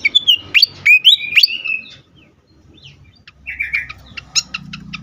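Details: Worked-up fantail, used to lure and stimulate birds: bright, rising whistled notes with chips, a pause, then a wavering whistle and a few sharp clicks.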